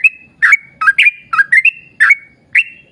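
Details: Energetic yellow-vented bulbul singing a long continuous song intended to trigger singing in other bulbuls: clear liquid notes with drawn-out whistled tails, some doubled in fast succession, about nine in three seconds.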